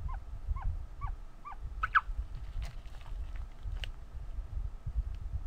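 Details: Hatching ostrich chick gives four soft down-curving peeps, then a louder, harsher burst followed by scattered faint calls, with low rumbling noise underneath.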